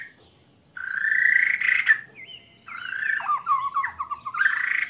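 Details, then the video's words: White-rumped shama giving an odd song that mimics a frog: long rising grating croaks broken by quick whistled and looping notes, then another rising croak. "murai batu suara aneh isian kodok"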